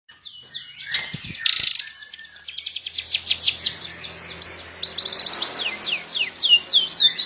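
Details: White-rumped shama song, melodious, used as a master recording: opening clear whistles and a brief harsh burst, then a fast run of sharp, downslurred high whistled notes, some quick trills, continuing steadily to the end.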